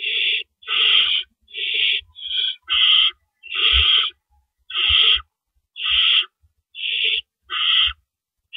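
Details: Harsh, noisy hissing from owls at their nest at night, April 4, 2012, as the parents come and go carrying rabbits; around eleven breathy bursts repeat about once per second, a few shorter and clipped, with soft thuds between.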